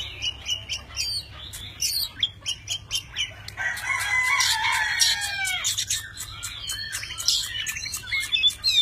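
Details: Tame Oriental magpie-robin singing with many voices while fanning its tail and spreading its wings. A series of sharp clicking notes leads into a long rich warble with sliding whistles, then more crisp staccato notes.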